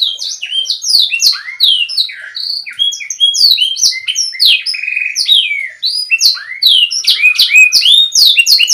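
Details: Canary tutor song aimed at young or stalled canaries to raise their confidence: a continuous stream of high, sharply sweeping notes with a brief buzzy stretch midway.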